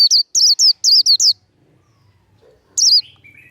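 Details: Líu-style fighting song of a white-eye, meant to fire up other birds: six rapid, shrill, twisting notes in a tight run, then a short silence and one more emphatic note followed by faint lower chirps.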